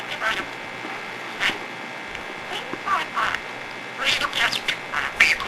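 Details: Talkative budgerigar, called a cheap parrot, producing raspy high-pitched speech-like chatter in short bursts about once a second, interspersed with thin squeaky notes, in a small indoor space.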